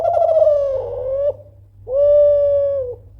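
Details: Loud Kelantan spotted dove calling persistently so rivals will answer: a throbbing, wavering coo falling in pitch, a short gap, then a long level pure coo ending with a dip, against low constant hum.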